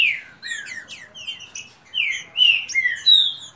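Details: A fast singing contest among kept green-winged saltators, with short sharp upper notes leading into strong, sweeping whistles that fall in pitch and swell in loudness.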